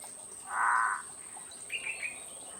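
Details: A female Red-headed trogon (Harpactes erythrocephalus) gives one harsh, grating mid-pitched note about half a second long, then a few faint higher chips, over a steady thin high whine.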